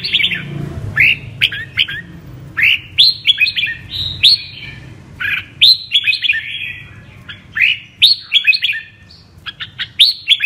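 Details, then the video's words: Apricot-coloured (mơ) red-whiskered bulbul singing in the double-voice style (giọng kép): bright rising whistled phrases, often paired or in quick clusters, separated by short pauses, over a faint low hum. "Con Chào Mào MƠ cực đẹp, HÓT giọng KÉP Cực đã"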